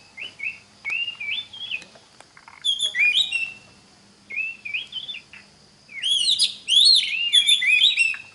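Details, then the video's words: Oriental magpie-robin singing, used to train other magpie-robins: short looping whistled notes alternate with louder, richer phrases of swooping whistles, building to a dense, ringing burst near the end. "Pancingan Suara Kacer (Cocok) buat kacer belajar Kicau!!"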